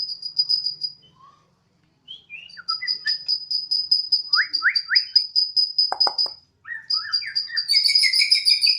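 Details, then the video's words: Borneo white-rumped shama kept at home, singing energetically in the odong-odong siren-like style: a rapid string of identical high piping notes, broken by rising slurred whistles, sharp clicks and a buzzy burst at the end. "Murai odong-odong (BORNEO) dengan penuh semangat si Burung berkicau layaknya suara sirine"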